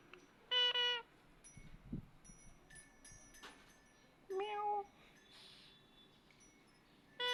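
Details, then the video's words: Speaking parrot mimicking a cat's meow to call the cat: two loud, flat, nasal meow-like notes, a short one cut off at the end, amid thin ringing chime-like tones and light clicks. "Parrot speak, Clever Parrot making sound the cat សេកចេះនិយាយ ចេះធ្វើសម្លេង និងសត្វឆ្មា"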